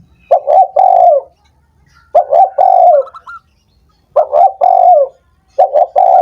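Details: Stimulating call of a spotted dove, meant to get sluggish doves singing again: four phrases of throaty coos, each a stuttered pair of short notes leading into a longer sliding coo, separated by quiet pauses.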